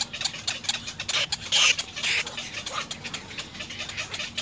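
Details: Little egret chicks at the nest begging their parents for food: rapid harsh rasping calls and dry clattering notes in a fast irregular stream, with a few louder hoarse squawks in the middle.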